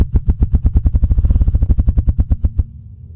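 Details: A Ruffed Grouse drums as a mating display, beating its wings against its body: a rapid run of about twenty deep, muffled, low thumps over two and a half seconds, a sound heard in beech forests that carries far.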